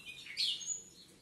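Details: Short snatch from a pair of captive-bred harlequin-mutation Ultramarine grosbeaks in standard 'sintonia padrão' style: one bright whistled phrase with a quick slurred flourish, then a thin high note.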